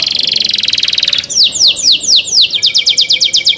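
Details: Canary singing in the cenkok style, opening with a dense rapid high trill, then shifting to a series of quick downward-sweeping whistled notes repeated about three to four times per second.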